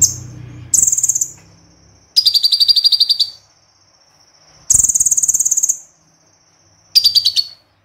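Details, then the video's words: Konin (crossbred white-eye) in 'tembakan' song: repeated bursts of very fast, high, rattling notes lasting about a second each, linked by a thin steady high tone, the phrases coming every two seconds or so. "Konin Tembakan Kombinasi Extra Super Pedas - Konin Gacor Full Tembakan"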